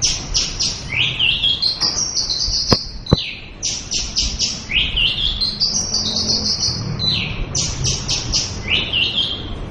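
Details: Female Oriental white-eye singing rapid bursts of high chirps joined by upward-sweeping whistles, repeated in phrases, with two sharp clicks early on.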